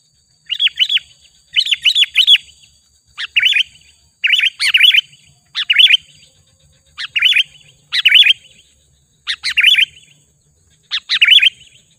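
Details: Sooty-headed bulbul call used as a lure and master recording to excite wild birds. Short phrases of two to three rich, wavering chirps repeat roughly every second in a steady series, with a quiet background.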